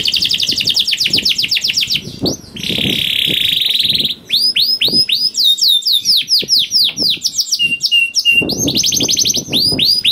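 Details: Canary singing a vocal lure song with long rolling trills, meant to prompt other canaries to sing. A rapid ticking trill leads into a sustained buzzy roll, then quick curved whistles, with soft low thumps underneath at the start and end.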